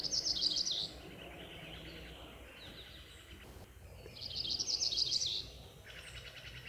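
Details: Black-throated gray warbler foraging high in the canopy of Coast Range foothill forest in spring, one of its varied song types: two high, buzzy, quickly trilled phrases about four seconds apart, with steady background noise.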